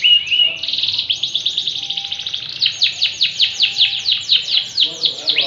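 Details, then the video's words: A yellow canary sings hard, opening with a clear whistle and fine buzzy trill, then a steady series of loud sweeping chirps repeated about four per second, closing on a rising whistle. "kenari bon kuning gacor"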